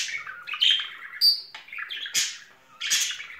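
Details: Budgerigars in spring, a bonded courting pair kept as pets: rapid twittering chatter broken by harsh squawks and a bright whistled note, in uneven bursts.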